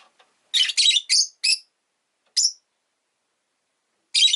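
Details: Rosy-faced lovebird kept as a pet chatters in a quick string of four shrill, rasping chirps, then a single sharp chirp and, after a pause, another harsh burst.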